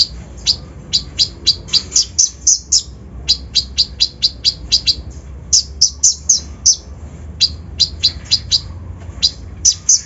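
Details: Rough fill-in lure song of a kolibri ninja, used to provoke other birds: dense series of shrill, high tweets in quick succession, broken by a few short pauses.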